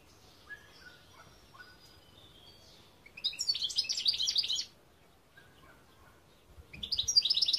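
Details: Goldfinch song from 2021: soft thin whistles at first, then a loud burst of fast, jingling twitters lasting about a second and a half, silence, and another bright twittering phrase beginning at the end.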